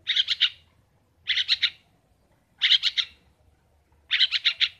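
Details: Kept long-tailed shrike, local names pentet and cendet, calling vigorously: grating bursts of three or four harsh rasps, repeated about every one and a half seconds.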